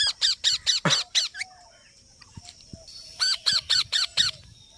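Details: Parrot giving a fast series of harsh, nasal squawks, about two per second, in two bursts separated by a near-silent pause with a few faint clicks.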